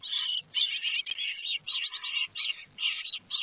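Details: Nestling great tits at Théding, France, in May 2022 clamouring for food as they are fed: loud pulsing bursts of shrill, buzzing squeals, each about half a second, separated by brief pauses and soft nest scuffles.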